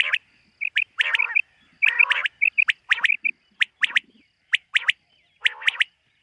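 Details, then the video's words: Morning call of a common quail, or batair, in a summer meadow, 2023: short liquid whistles lead into sharp three-note bursts, repeated about once a second. "Common Quail. Bird sounds from summer meadow |suba batair ki awaz 2023 | morning batair 2023"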